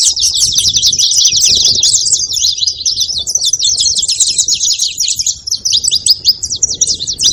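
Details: Saffron finch calling: a dense, continuous stream of high, rapid chirps and twittering notes, busy and scratchy throughout, with a faint low rumble beneath.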